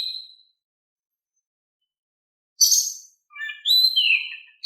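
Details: Oriental magpie-robin song played to make reluctant birds sing back: a brief high whistle, long silence, then a harsh high burst followed by a clear falling whistle and a few scattered notes.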